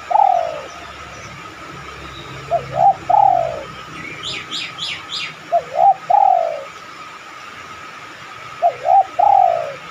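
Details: Spotted dove cooing, played as a lure to prompt other doves to coo in reply: low, soft phrases of two short notes and a long falling coo, repeated every few seconds. A brief chirping series from another bird and a steady hum are also heard.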